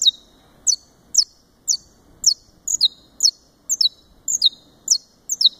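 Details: Saffron finch, Brazilian subspecies, captive-bred in Fortaleza, Ceará, repeating thin, high downslurred notes, often doubled, about two each second, over faint low room noise.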